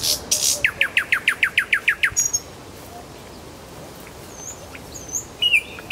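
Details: Fast, regular series of about a dozen sharp downward-sweeping notes from a nightingale in Kuzminsky forest park, followed by near silence with a few faint high calls.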